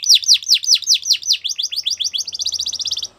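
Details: A Belgian canary sings for young canaries to learn from, giving loud descending whistles that speed up and shorten into a rapid rolling trill before stopping.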